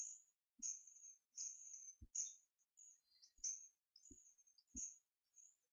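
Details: Hand-fed hawfinch chicks, a pair of twelve-day-old siblings raised first by a foster hen, recorded 4 May 2014: persistent thin, high-pitched begging squeals almost once a second, broken by soft thuds of feeding.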